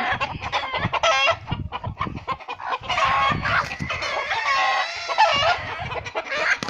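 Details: Chicken attacking a hawk in defence of her chicks: continuous frantic harsh cackling and squawking, rapidly repeated and overlapping, with brief pauses and low scuffling thuds throughout.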